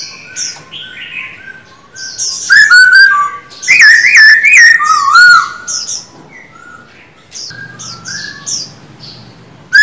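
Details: Loud, fluty song from a caged male Black-throated Laughingthrush during voice training. Swooping whistled notes build to a dense middle section, then fade into softer scattered calls.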